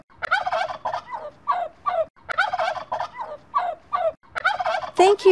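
A turkey gobbles in two rapid, rattling bursts of quick gulping notes, about two seconds each, then ends on a louder, harsher cry.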